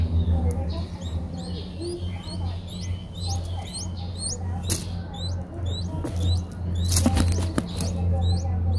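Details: Five-day-old Streak-eared Bulbul nestlings in Ubon Ratchathani, Thailand, 7 April 2023: thin, high chirps, each sharply rising then falling, given in quick uneven series several per second over a steady low hum, with a few clicks and knocks.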